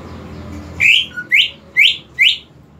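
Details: Greater green leafbird, a lure for a leafbird that will not sing: four clear upslurred whistles spaced roughly half a second apart, with a faint low note after the first, over soft background hum.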